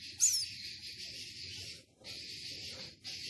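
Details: Captive Philippine scops owl chick, six days old: a sustained wheezy, hissing rasp broken by brief pauses, opening with a sharper squeak.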